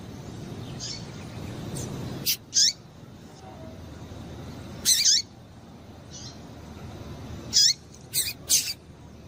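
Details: Female double-collared seedeater calling, used to stimulate males to sing: sharp, high, thin chirps, some single and some in quick pairs, separated by gaps of a few seconds over a low background hum.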